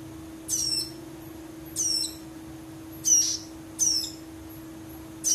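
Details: A prinia chick gives five high, harsh, slightly falling calls, about one every 1.2 seconds, over a steady low electrical hum; its chick calls are compared to tell males from females.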